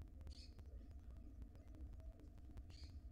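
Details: Tiny wild barn owl nestlings in a nest box, fed by the female. Two short, harsh hissing bursts, about two and a half seconds apart, over a steady low rumble and frequent sharp clicks and taps.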